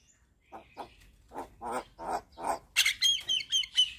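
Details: Javan myna singing hard and nodding: a row of low, rough, grating notes growing louder, then a quick series of bright sharp whistles and clicks.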